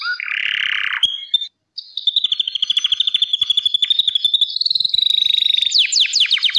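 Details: Gloster canary singing: a buzzy rolling tone, a brief pause, then a long run of rapid, evenly repeated high notes that ends in quick downward-sweeping chirps.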